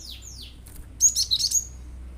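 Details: Cinereous tit, singing hard with the 'shooting' song said to stir other birds to sing: two falling whistled slurs, then a loud, tight burst of sharp, high chirping notes.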